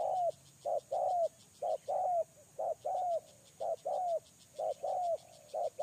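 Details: Spotted dove kept as a lure bird, calling with short, mellow coos, single and doubled, that often slur downward and repeat in steady bursts about once a second. A faint high ticking runs underneath.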